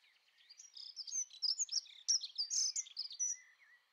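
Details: Dunnock (Prunella modularis) singing a fast, jumbled warble of high, thin, scratchy notes that runs for about three seconds without pause, then ends in a few lower, drawn-out notes; quiet background otherwise.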